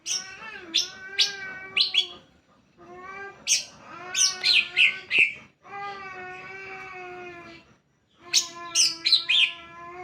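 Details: Greater green leafbird lure song to prompt other leafbirds to sing: sustained harmonic whistles overlaid with rapid, bright high chips and squeaky phrases, in bursts of about two seconds separated by short silences.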